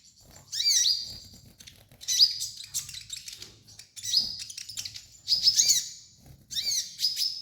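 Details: Sunbird known as kolibri ninja gives loud, scratchy bursts of high, twisting notes with thin whistles, in phrases roughly every second and a half. Faint background hum and clatter. Serves as a master for training birds.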